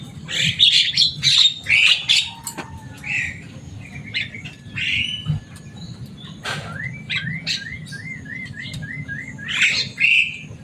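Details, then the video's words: Javan myna in captivity, known for its loud, busy voice and speech mimicry, mixing scratchy chatter with a long wavering whistled trill near the end; low background hum throughout. "Burung jalak kebo selain suaranya yang rame ada kelebihan nya bisa bicara"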